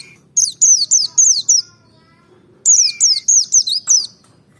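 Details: Merapi forest-type white-eye singing in a provoking recording meant to make other birds sing: two bursts of five or six sharp, high chirps, each sweeping steeply downward, the bursts separated by about a second of near silence.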